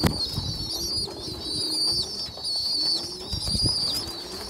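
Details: Pigeon youngsters fed by a poorly developed young pigeon: continuous high squeaky whistles rising and falling, with wing flaps and rustles near the start and end.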